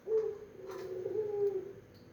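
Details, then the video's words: Brief low coo of a pelung-style Barbary dove: a quick opening note sliding into a wavering, mellow hum of about one and a half seconds. "Suara Puter pelung yg merdu"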